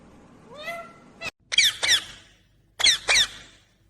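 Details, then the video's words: Green Indian ringneck parakeet giving a rising harmonic speech-like note, then two pairs of harsh, buzzy high squawks separated by silence. "Natural Sound of Talking Ringneck green parrot"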